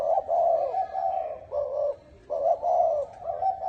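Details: Spotted dove with a 'bronze bell' voice cooing to lure and excite males and females: long, sustained low coos broken by one brief pause, rich and slightly wavering, over a soft background hum.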